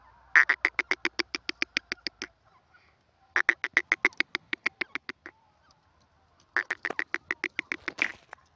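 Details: Dakhni teetar, or grey francolin, delivering three fast volleys of short, sharp, ringing notes, each volley lasting one to two seconds with pauses between, over a faint low rumble.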